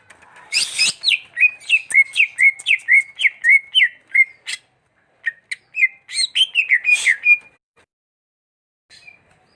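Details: Greater green leafbird pouring out a rapid series of short, looping whistled notes, roughly four a second, opened by a harsh scratchy burst, with a brief pause and another rasping note before the whistles resume.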